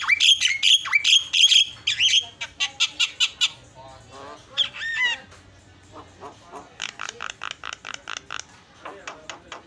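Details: Javan myna in full song: a burst of loud rasping squawks, then a rapid series of clicks, a few swooping notes and another run of quick chatter.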